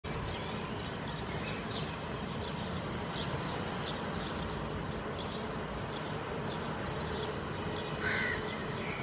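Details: A hooded crow fledgling standing on mossy ground in Helsinki, Finland, in June 2022, preening and vocalizing, gives a few hoarse, scratchy calls, partly buried under a steady wind-like roar, with one louder call near the end.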